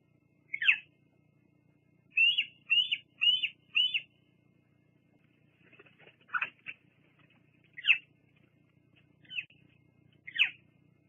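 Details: Evening at a bald eagle nest on Fraser Point, 17 July 2022, female preening and perching before a live cam; scattered single high piping notes with a quick burst of four, faint rustling and low hum between.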